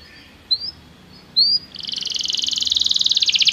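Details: Belgian canary singing for song training: two short rising chirps, then a fast, buzzy high trill that swells steadily louder to the end.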